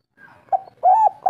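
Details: Local spotted dove singing in the three-note "kuk 3" style: a soft, low, mellow coo, a brief note followed by a longer, steadier hooting note and the start of another, in quiet surroundings.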